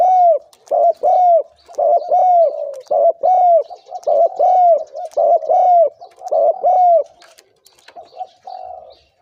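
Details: Two-to-three-year-old decoy spotted dove with big, middle and small voices, cooing in a long steady series of about a dozen loud, arched low notes roughly twice per second, trailing off softly at the end.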